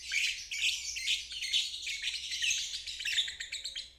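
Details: Ngeriwik trill from a lovebird, a lesson sound for stalled or young birds; rapid pulsing chirpy chatter, fast and continuous, thinning toward the end.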